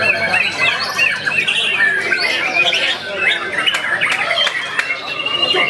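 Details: White-rumped shama, a junior bird, unloading varied song material in front of a rival and a female: rich warbling phrases, rising whistles and harsh squawky notes, with brief sharp clicks near the end.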